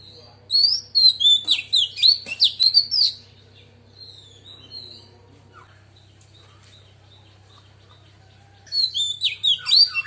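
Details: Female Oriental magpie-robin singing a wild-style song meant to excite males: rapid bursts of varied whistled and twittering notes for about two and a half seconds, a long pause, then another burst, over a steady low hum.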